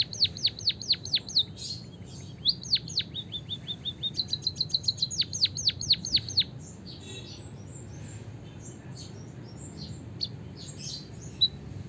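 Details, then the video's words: White-headed munia, Javanese, singing a long canary-style roll meant to spur other birds into song: rapid downward whistles, rolling trills and more falling notes, then softer scattered high chirps for the last several seconds. "suara burung emprit peking bondol kaji gacor isian kenari ngeroll panjang untuk masteran"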